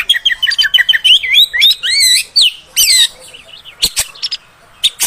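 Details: Female oriental magpie-robin, a sound used to provoke males and train them to sing longer: rapid repeated whistled notes, then looping rising and falling whistles, followed by sharp high clicks and chips.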